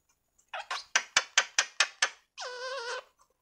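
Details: Female parrot talking: a quick run of about eight sharp clicking pops, then a sustained, wavering, nasal harmonic call lasting over half a second.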